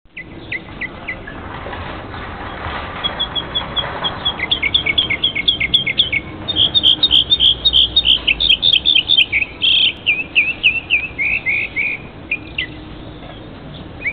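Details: One bird singing daily in a big backyard tree: high, thin chirps repeated rapidly and unevenly, building into dense twittering phrases of short falling notes, over steady low background noise.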